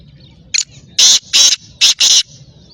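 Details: Black francolin giving its harsh call: a brief high note, then a pause, then four strong, scratchy, broadband notes delivered in a rhythmic rasping sequence. Little else is audible besides faint background hiss.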